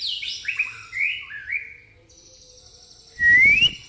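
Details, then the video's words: White-rumped shama in pastol style with church-bell-like phrasing: descending series of whistled slurs, a thin high trill, then a loud rising whistle. "murai pastol isian gereja tarung"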